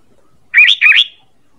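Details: Sooty-headed bulbul lure call, used to attract birds: two quick, bright chirping notes back to back, each rising and falling, over a silent background.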